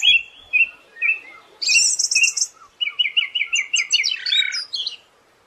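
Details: Siberian thrush song meant for training songbirds: a few short chirps, then a loud burst of very high hissy notes, followed by a fast evenly repeated stuttering phrase ending in a lower buzzy flourish.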